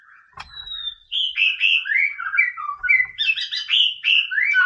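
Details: Song of a white-rumped shama used as masteran to stir a rival bird: a long clear whistle followed by a varied flowing run of warbled, slurred phrases shifting up and down in pitch.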